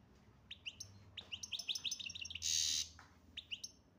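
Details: Algerian European goldfinch of the chardonneret major type delivering a rapid chain of sharp tinkling notes, broken by a half-second harsh buzzy rasp, then a few more twittered notes.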